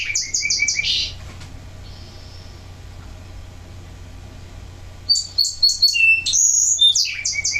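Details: A male Song Sparrow, a permanent resident in Washington that sings a repertoire of about nine songs to defend his territory, gives bright repeated introductory notes into a buzzy trill, a pause, then varied clear whistled phrases.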